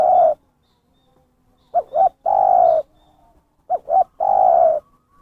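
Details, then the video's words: Lure cooing of a spotted dove for attracting wild birds: two phrases, each a brisk doubled note followed by a drawn-out level coo, separated by near silence. "suara pikat burung terkukur gacor"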